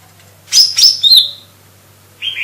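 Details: Lesser green leafbird giving a brief phrase of two sharp high whistles and a falling slurred note, then a short buzzy chirp, with a low hum beneath.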